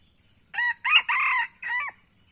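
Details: Red junglefowl from Aceh, circling around the camera, gives one short harsh crow of four hoarse bursts over about a second and a half, the final note drawn down; quiet background.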